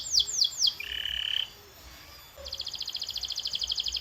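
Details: Canary training song: three swept chirps, a brief buzzy note, a pause, then a fast steady high trill of repeated notes.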